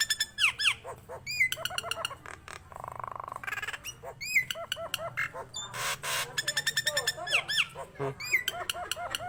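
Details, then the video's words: Rapidly singing Nias hill myna producing many curling, bell-like whistles, sharp squawks and a drawn-out nasal rattle, phrases tumbling one after another with hardly any gaps. "JALAK NIAS GACOR"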